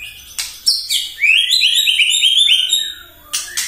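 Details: Morning song of a white-rumped shama, meant to provoke other birds: a few sharp high notes, then a fast run of repeated rising chirps lasting about two seconds, closing with scratchy bursts.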